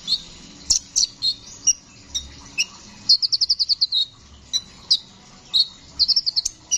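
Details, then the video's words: Brown-throated sunbird singing vigorously in a rolling style, used as a tutor recording for songbirds: sharp, high scattered chirps, then a fast rattling run of about nine clipped notes, with another short rattled burst near the end. "Masteran burung kicau Kolibri ninja gacor ngeroll"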